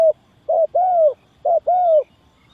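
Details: Spotted dove call played as a lure for trapping doves: two low, mellow coo pairs, each a short note followed by a longer, slightly arched note, with clear pauses between them.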